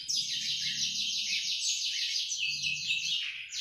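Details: Black-throated canary, a young bird in training, singing diligently in the ngriwik style: a continuous rapid buzzy trill of fast repeated high notes, sustained almost without break for the whole stretch, with faint low background hum.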